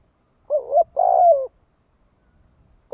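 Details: Decoy spotted dove in the 'thổ đồng' voice style, calling to lure wild doves: a short phrase of two low, husky coos, the second longer and slightly falling. Quiet background.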